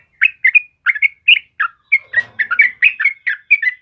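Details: Yellow-vented bulbul singing for use as a training lure for caged birds: bright, bubbling two-part chirps repeated at a brisk pace, with a muffled rustle partway through.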